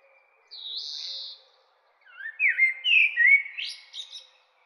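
Common blackbird song: a thin, high drawn-out note, then a mellow fluting warble that breaks into squeaky, twittering notes near the end.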